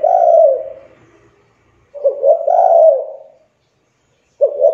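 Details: Young spotted dove calling as a lure to set off other doves; deep hollow coos, a long coo tail, then a stuttered double note running into a drawn-out coo, and another phrase starting.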